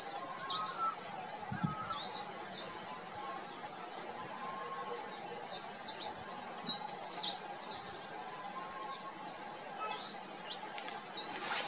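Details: Verditer flycatcher calling loudly in spring from atop an oak tree in the Himalaya, just before breeding time, marking out territory; high, rapid, sweeping warbled trills in repeated bursts, with a Hill Barbet calling nearby as lower, steady notes.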